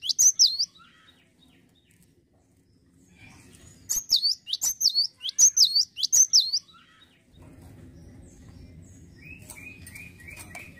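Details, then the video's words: Cinereous tit in strong song: a short opening phrase, then a rhythmic run of high sweeping two-note phrases, followed by low background noise and a thin level whistle. "GELATIK BATU LAGI GACOR"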